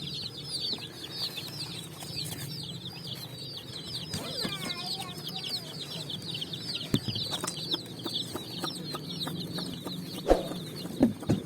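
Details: Dyed colourful chicks running and jumping on sand in the evening sun, searching for food; dense high-pitched peeping from many chicks throughout, with a steady low hum underneath and a few sharp knocks.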